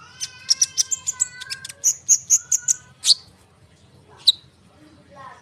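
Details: Konin bird in full continuous song, played as a lure for sunbirds and other birds; fast series of about ten high clipped notes, a pause, then a single sharp high chirp.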